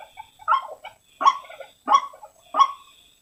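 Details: White-breasted waterhen call used to lure waterhens. Rasping croaks come about every 0.6 seconds with softer notes in between, over a faint steady high whine.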